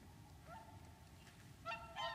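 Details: Wintering whooper swans at Lac du Der, France, 30 January 2014; after a faint rising note, two loud, bright honks sound close together near the end, over low rumbling noise.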